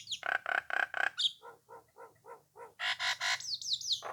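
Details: Nias hill myna singing to goad rivals into responding: harsh repeated chattering notes, a quick series of soft low chuckles, then loud rasping bursts followed by high falling whistles.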